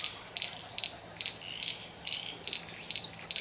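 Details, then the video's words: Displaying Satin Bowerbird at a bower in a country garden, Victoria, Australia, 25 July 2024; rhythmic buzzy double clicks recur every half second, mixed with soft high whistled notes and low background hum. "Satin Bowerbird displaying at bower"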